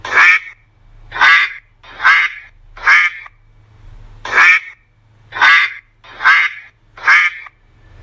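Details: Duck quacking in loud harsh nasal bursts, eight quacks spaced about one second apart with a short pause midway, faint low hum underneath.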